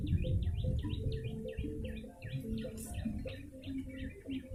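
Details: Yellow-bellied prinia calling for bird luring, delivering quick chirps in a rapid string, each note sliding downward, accompanied by low humming background sounds and a brief high hiss.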